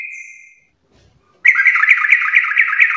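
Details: Trucuk, the sooty-headed bulbul, in vigorous garuda-style song: a thin fading tone and a short silence, followed by an intense buzzy run of rapid, regular accented notes.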